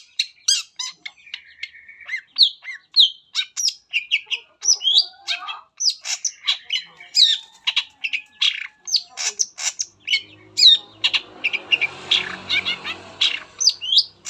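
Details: Shrike song meant to prompt other shrikes to sing, a long continuous stream of quick chirps, harsh notes and mimic-like whistles, with a rustling noise in the background toward the end.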